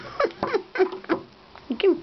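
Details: Pet bare-eyed cockatoo during its morning routine of playing, yelling and flapping indoors: a run of short, hoarse squawks that dip and rise, about five in two seconds, with soft tapping between.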